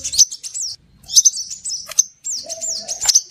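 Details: Scarlet minivet lure recording: high thin whistles with upward and downward swoops in fast runs, broken by short pauses, and a faint low steady tone near the end.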